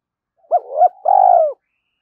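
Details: Early-morning spotted dove cooing meant to spur fighting and lure: two short arched coos leading into one long, slightly falling, burred coo, then silence.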